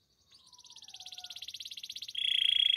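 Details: A canary builds a fast pulsed trill that grows steadily louder over two seconds, then breaks into a loud, dense, buzzy high roll.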